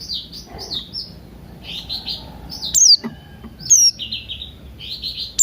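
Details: Buxton's white-eye singing in the morning together with cucak rante, a lure for getting birds to sing: continuous high warbling twitter broken by three sharp descending notes.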